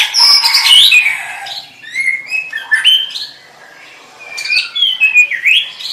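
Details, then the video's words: White-rumped shama song: loud, scratchy opening phrase followed by softer slurred whistles, a quiet gap, then more whistled phrases. "SUARA MURAI BATU Ini Membantu Burung Murai Batu Anda"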